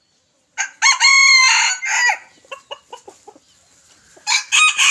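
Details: A yellow red junglefowl rooster, recorded on a Friday, 23 February 2024, gives a short, clipped crow, followed by a run of soft clucks and another crow.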